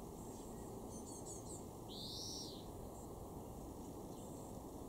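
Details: Garden greenfinch in Weener, East Frisia, far northwest Germany, June 2024: a single drawn-out, buzzy, rising-then-falling wheeze, with faint twittering before it and heavy low background rumble throughout.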